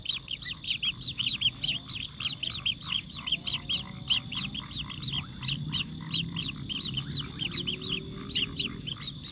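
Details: A sparrow feeds its chick amid continuous high, clipped chirping, the notes repeated quickly in busy overlapping bursts, with a low background rumble.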